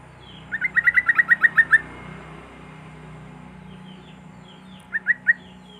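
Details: Rapid, even series of about ten clear chirped notes from a Sooty-headed bulbul, played to get silent bulbuls singing, then quiet, then three more notes, with faint higher chirps in the background.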